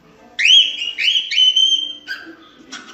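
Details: Cockatiel whistling clear, sustained, pure-toned notes held level for about half a second each, three in a row, followed by a lower rougher note and a short burst of chatter.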